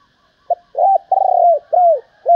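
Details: Spotted dove hen giving calls meant to excite males, a run of low mellow coos, a short note then longer arched and drawn-out ones, each sliding downward, recorded clean and close.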